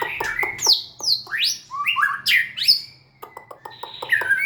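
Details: White-rumped shama singing loud, rich phrases of upward-sweeping whistles and sharp slurred notes, followed by a series of quick evenly spaced clicking chips and a final whistle.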